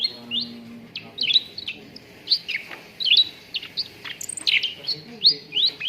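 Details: Cucak ranting bulbul used to coax contest birds into song: lively repeated upslurred whistles and chirps, delivered in irregular clusters throughout, bright and high-pitched.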